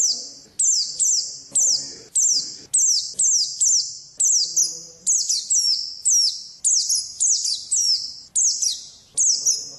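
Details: Oriental white-eye singing 'ngalas' wild-type song, a lively run of high, quick, downslurred chirps repeated nearly twice a second, each note echoing briefly, with a faint low hum beneath.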